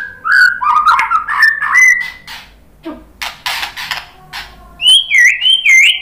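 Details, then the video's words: White-rumped shama song, used as a lure to provoke other shamas into answering. Clear whistled notes step up and down, then a few rough buzzy bursts, ending in high, looping, repeated whistles. "SUARA MURAI BATU Untuk Memancing EMOSI JADI NYAUT GACOR"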